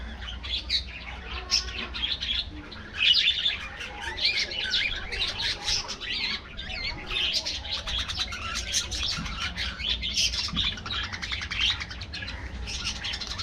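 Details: Many budgerigars in an aviary colony keep up a long, dense chatter of warbles, clicks and squeaky chirps with a low background rumble.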